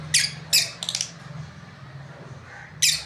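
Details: Lovebirds, a breeding pair, giving quick shrill squeaky chirps, three close together then a pause and another, with a low steady hum underneath.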